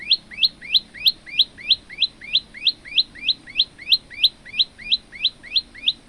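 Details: A male olive-backed tailorbird sings a fast, steady run of loud, rising whistled notes, about three each second, with a faint background hum.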